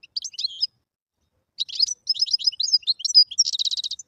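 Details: A wild European goldfinch delivers a short twitter, then after a gap a fast run of varied, liquid chirps and slurred notes ending in a rapid buzzy trill. Clean recording with nothing else audible.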